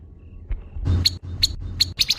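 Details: Grey-headed babbler giving its harsh call: after a quiet start, a few loud, rasping, broadband notes spaced about every 0.4 seconds, with the last two coming close together.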